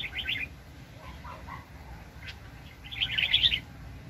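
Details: Red-whiskered bulbul, a very aggressive decoy bird used in bird trapping, 2020. A quick warbled phrase opens, soft notes follow, and a brighter, louder chattering burst comes near the end over low background noise.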